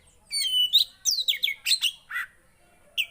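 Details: Javan white-eye, a captive bird, giving a short burst of song to spur a quiet bird: a few high slurred whistles and down-swept chirps, then near silence and one last note.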